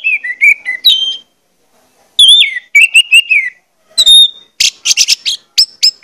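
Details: Whistled orange-headed thrush song used as stimulation for birds to sing. Wavering mid-pitched whistles, a silence, then falling slurred phrases and a burst of high scratchy notes.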